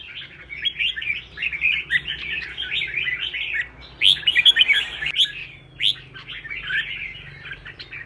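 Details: Singing-contest red-whiskered bulbul keeps up a rapid, chattering warble of bright notes, with a sharper flurry of high whistles midway and a brief rustling noise in the background.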